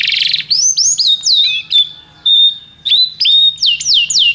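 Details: Singing canary: a short buzzy burst, then looping whistled notes, a sustained steady tone, and more rapid downward-sweeping whistles.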